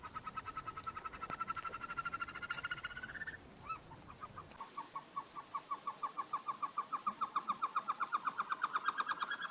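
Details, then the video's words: Himalayan snowcock of the Himalayan alpine pastures and rocky cliffs, singing: a long series of rapid clucking notes, a brief pause with a couple of upslurred notes, then renewed quick rhythmic notes rising slightly in pitch toward the end. "Himalayan Snowcock singing"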